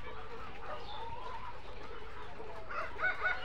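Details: Parent tiger chickens kept for hatching on a farm cluck and squawk loudly in the distance from the other side of the farm, over a steady farmyard hum.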